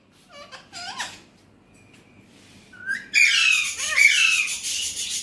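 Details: Alexandrine parakeet said to talk in Urdu/Hindi: soft, voice-like harmonic sounds at first, then a sudden loud, harsh, buzzy screech from about three seconds onward, with rasping rising notes inside it.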